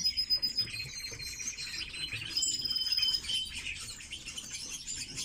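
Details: Red-billed leiothrix kept in captivity, giving rapid, high, twittering warbled phrases mixed with short chirps and a faint steady high whine.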